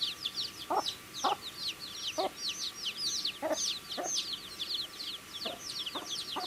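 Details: Baby chickens eating food, a group of chicks giving dense, high, rapid chirps that overlap throughout, with sharp pecking taps every half second or so and a faint steady hum behind.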